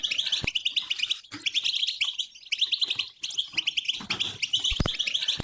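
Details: Goldfinch song meant to prompt a quiet goldfinch to start singing: rapid tinkling, twittering phrases repeated in bursts with brief gaps, broken by a few loud clicks.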